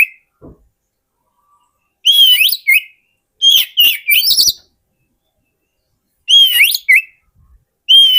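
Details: Lure song of an Oriental magpie-robin for attracting wild birds: rich whistled phrases with upward sweeps and short chattering notes, given in bursts a few seconds apart, with faint clicks between them.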